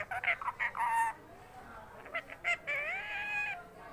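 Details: Pet parrot in a home mimicking human speech: a run of short harmonic syllables followed by a longer, smoothly wavering voiced phrase, with a person nearby repeatedly saying "give Mithu roti" in Hindi.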